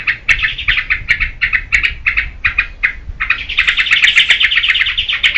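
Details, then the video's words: Trucukan, or yellow-vented bulbul, singing loudly as a lure and tutor for cage birds; spaced paired chirpy notes at first, then a sustained, rich outpouring of fast bubbling warbles. "SUARA TRUCUKAN GACOR UNTUK PANCINGAN DAN MASTERAN"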